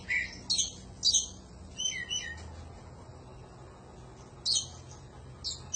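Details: Oriental magpie-robin (kacer) singing a panjingan-style 'gacor' song meant as a training recording: short whistled and chattering phrases spaced by pauses of about a second, with quiet low hum between.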